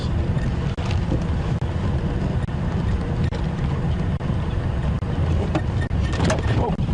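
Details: Steady low engine rumble of a safari vehicle on a sunrise drive, with wind buffeting the microphone and occasional soft knocks.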